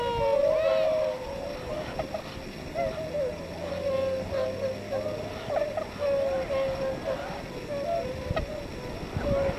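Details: Tundra swan flock calling during spring northward migration at Yonago Waterbird Park, Tottori, Japan, giving soft, mellow, slightly nasal hoots, many overlapping in quick succession over a low rumble of wind or water.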